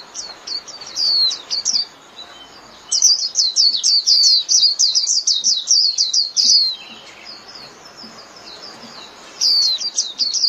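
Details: Japanese white-eye flock-calling song: short twittering phrases, then a long hurried stream of high, rapidly repeated chirps, a quieter stretch, and a final burst.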